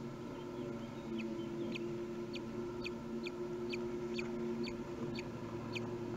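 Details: Common kestrel at a nest box watched by webcam in Théding, France, on 20 May 2021, as the father brings food: a run of sharp, high, clipped notes, roughly two per second, over a steady low mechanical hum.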